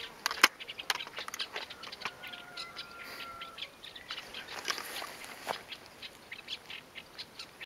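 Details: Masked shrike (Lanius nubicus) calling by the Tsiknias river on 1 May 2015: a scatter of short, dry ticking notes at an irregular pace, with a faint thin whistle in the background.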